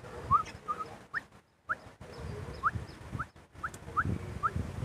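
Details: Javan myna among a group gathering, calling with short, sharply rising whistles repeated at irregular intervals about every half second to second, fairly quiet against a low rumbling background with faint thumps.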